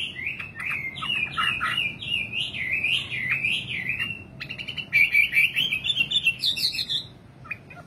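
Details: A common nightingale (Luscinia megarhynchos) sings a fast, varied run of warbled and chirped notes, then a quicker rattling trill with sharp high accents, over a faint low hum.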